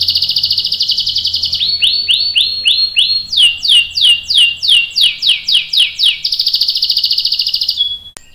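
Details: Canary in full song, a long-rolling master song for teaching young and adult canaries. A steady buzzy roll gives way to about four sweeping downslurred notes per second, then another sustained high roll.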